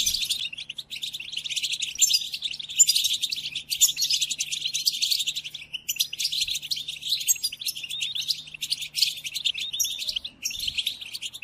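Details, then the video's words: Goldfinch song used for tutoring caged goldfinches, including during moult: continuous fast tinkling twitter and buzzy trills in long phrases broken by short gaps, with a faint low hum. "قدم هذه الآصوات لطائرك الحسون وشاهد ماذا يفعل"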